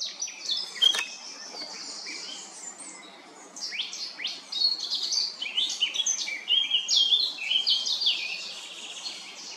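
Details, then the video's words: Eurasian blackcap delivering varied song, Remscheid, 10 June 2022: a long run of quick, tumbling high notes, whistles and twitters, quieter in the middle, then swelling into a brighter, louder rippling warble. "Mönchsgrasmücke sang verschiedene Vogel gesänge"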